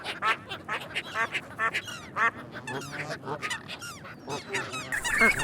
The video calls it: เสียงเป็ดร้อง ก้าบ ก้าบ Duck Sound (Quack Quack)